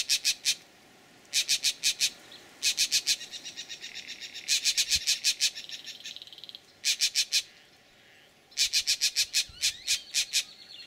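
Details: Green jays giving their snake alarm at a bullsnake, Laguna Atascosa National Wildlife Refuge, Los Fresnos, Texas, 12 April 2017: harsh rasping notes in quick bursts of three to six, bursts spaced a second or two apart.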